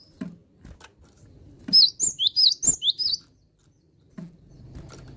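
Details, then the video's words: A cinereous tit singing vigorously delivers a quick string of about seven piercing, high two-part whistles, each rising and falling, between dull knocks and soft low rustling. "GELATIK BATU YANG SUDAH GACOR"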